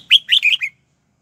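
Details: Red-whiskered bulbul, a caged lure bird singing to draw wild birds in to fight: one short phrase of four or five quick, bright warbled notes lasting under a second, then silence.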